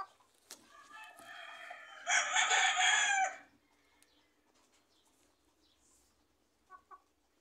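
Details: Rooster kept with young chickens beside planted fruit trees, natural ambient sound; a rough crow builds and holds for about a second and a half, followed by quiet background.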